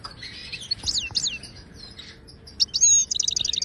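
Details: Moroccan wild European goldfinch in the Ouidani song style, used to teach caged birds: bright high twittering with swooping notes, a pause, then a ringing whistle and a fast run of evenly repeated chips.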